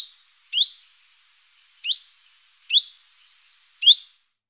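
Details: Common chiffchaff gives four clear, upward-sliding whistled "huit" notes, its questioning call, spaced about a second apart, against an otherwise quiet background.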